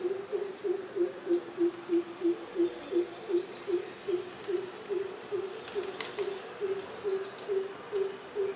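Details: A greater coucal in its natural habitat gives a long, steady series of deep, hollow hoots, about three per second, with faint chirps from other birds in the background.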